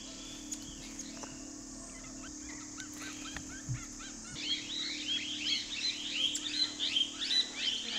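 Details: Black-capped sibia perched on a wild pear tree: after a quiet start with faint scattered notes, a lively run of rapid, bright chirps with quick up-and-down inflections follows, nearly three per second, over a steady high insect hiss.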